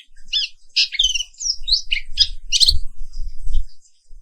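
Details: Black-capped white-eye, Papuan wiklus pleci, singing in the morning: shrill, sweeping twitters and chirps over a steady low rumbling and thumping background noise.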